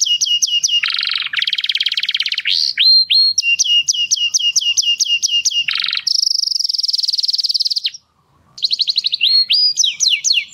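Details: Singing canary in mating song for stimulating breeding pairs; dense trills, buzzy rattles and a long high rapid roll, a brief pause, then quick rising chirps resume.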